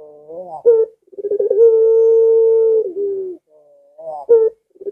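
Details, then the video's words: Collared dove (puter) giving a pelung-style coo with a long drawn-out note, not very aggressive. A short rising lead-in is followed by a steady, level low coo of about one and a half seconds, then a fainter softer phrase begins. "Tidak Terlalu Agresip Tapi Lengkungannya Bikin Puter Lain Ga Sabar Ingin Ikut Bunyi"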